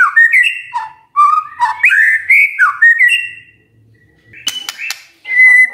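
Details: Magpie-robin singing in the morning to trigger others to respond, a run of fluid whistled notes rising and dipping, then a quiet gap, a few sharp clicks and a final steady high whistle.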